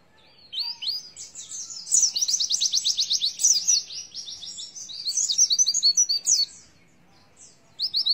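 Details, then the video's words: Oriental white-eye singing in the 'nembak isian' style: rapid, high-pitched chirping phrases with fast repeated buzzy trills at about four per second, broken by short pauses and a final burst of sharp notes. "Pleci nembak isian"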